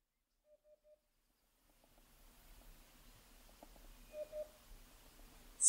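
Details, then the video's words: A Eurasian hoopoe (Upupa epops), calling in display, scolding or foraging, gives three soft, hollow, low 'oop' notes in quick succession, then a fainter pair later over a steady background hiss, ending with a sharp click. "Удод (Upupa epops)"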